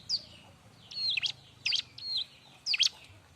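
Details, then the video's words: Bar-winged prinia singing for use in training other birds: a handful of high, sharp, twisting chirps and short whistled phrases spaced irregularly, over low, steady background hum. "suara r!but burung ciblek-cocok untuk masteran"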